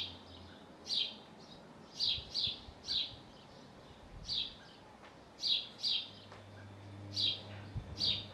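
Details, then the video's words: Hull, UK: a male house sparrow by his nest on a roof, chirping singly and in pairs with irregular gaps of about a second, over quiet background hum. "House Sparrow calling from roof by his nest"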